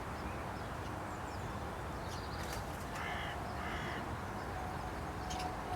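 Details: Carrion crow perched on a post at Aranoltza, Zamudio, Txorierri, Bizkaia, 12 June 2020, giving two hoarse, harmonic caws about a second apart over a steady rumble of background noise.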